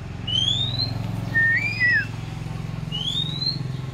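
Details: Oriental magpie-robin raised from young gives clear slurred whistles, rising and falling, in three short phrases about a second apart, over a steady low engine-like hum.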